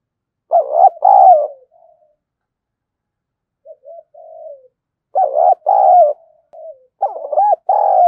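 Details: Spotted dove used as a decoy, with a voice praised as thunderous, sings full coo phrases. Paired rough, throbbing notes drift into soft murmurs, then two more bursts of arched, hooting coos. Nothing else is audible.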